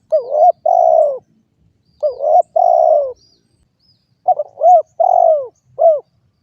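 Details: Repeated low coos from a spotted dove, with two partial phrases of stammered notes and long falling coos, then one complete phrase ending in a short arched coo. Little else is audible.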